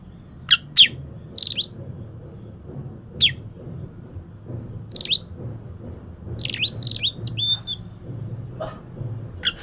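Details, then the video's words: Oriental magpie-robin song as a lure for a lazy bird: scattered sharp high chips and short whistles spaced by pauses, building to a dense burst of twisting warbled notes near the end, over low background hum. "Kacer malas bunyi❓Pancing saja pakai ini pasti nyaut ikut bunyi"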